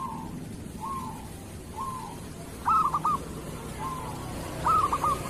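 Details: Local zebra dove song used as tutor material for other doves: soft slurred whistled coos roughly every second, then two louder stuttering notes with short rolling trills.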